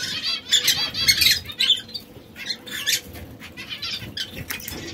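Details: Three canaries, red, yellow and brown, kept together and sometimes squabbling. Harsh, rapid squawks and chattering chirps come in a busy burst and then fade into scattered calls.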